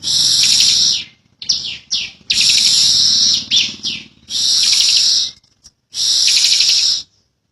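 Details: Bar-winged prinia, endemic to Indonesia, producing 'ngebren' song. Five or so high, scratchy, buzzing trills last about one second each, with short choppy fragments and silences between them.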